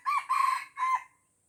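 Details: Red junglefowl from Aceh, surrounded by young birds and refusing to fight, crows in three harsh harmonic syllables near one kilohertz: a short opening note, a longer wavering middle note, then a clipped final note, with faint background hiss.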